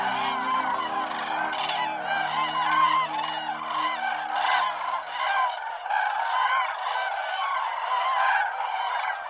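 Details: Migrating cranes calling in flight: a dense chorus of overlapping harmonic, trumpeting calls from many birds, continuous throughout, with a low steady drone beneath during the first five seconds.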